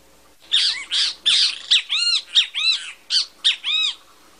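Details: Bem-te-vi (great kiskadee) calling in a lively string of about ten loud, buzzy, down-curving notes over roughly three and a half seconds. The surroundings are calm.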